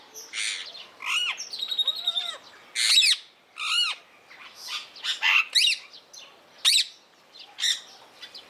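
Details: Captive blue-mutation rose-ringed parakeet at Opole Zoo giving a rapid run of shrill, high squawks and chirps, many with sharp rising-and-falling sweeps, repeated irregularly every half second or so.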